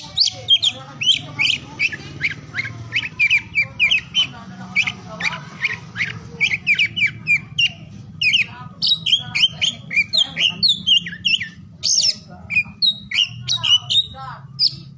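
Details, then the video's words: Oriental magpie-robin song used to encourage silent or lazy magpie-robins to sing; a fast stream of sharp chirps and whistled notes, short phrases repeated rapidly, steady low hum behind. "KICAUAN KACER DI PAGI SIANG SORE HARI UNTUK MERANGSANG KACER BISU DAN MALAS BUNYI AGAR CEPAT GACOR"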